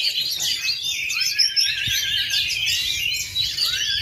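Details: Oriental magpie-robin performing at full power in a contest ring despite failing to molt for 2.5 years: unbroken torrent of bright, high warbling and chirped phrases, with a brief low thump near the middle.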